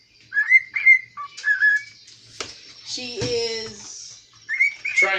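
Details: Pet cockatiel singing in a kitchen: short clear whistled notes rising and sliding, repeated in bursts, with a person's voice breaking in midway and more whistles at the end.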